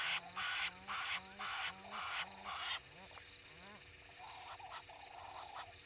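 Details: Egyptian geese mating at the Gowrie dam waterhole, Djuma Game Reserve, Sabi Sand Wildtuin, South Africa, 11 November 2021 at 03:05; loud harsh rhythmic honks about twice a second, then a few rising squeaky notes and fainter calls.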